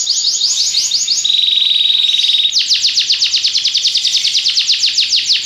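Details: Belgian canary in song, opening with quick descending notes, then a steady level whistled trill, followed by a long run of repeated downward-swept chirps about six per second.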